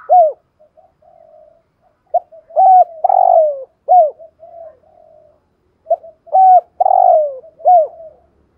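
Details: Decoy spotted dove with 'giọng thổ' style voice repeats its cooing phrase twice, roughly four seconds apart: short notes, hollow hooked coos and a long drawn falling coo, with quiet murmuring between phrases.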